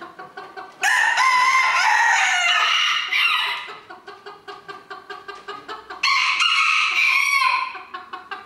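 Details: Cock crowing during a 2022 contest in Villers-la-Ville: a long, loud, hoarse crow of over two seconds, then a shorter one about three seconds later, with a rapid clicking rattle running in the background between them.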